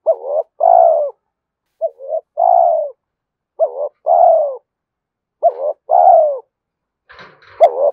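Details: Repeated coo phrases of a spotted dove, played to get decoy birds calling fast and to train them. Each phrase is a quick rising note, then a drawn-out falling coo, about every one and a half seconds. A faint click comes near the end.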